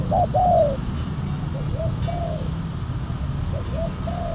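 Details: Cooing of a spotted dove while wild birds are lured using a silver decoy tekukur with a black neck ring; a strong drawn-out coo opens, then a series of fainter short rounded coos repeats against steady low background noise.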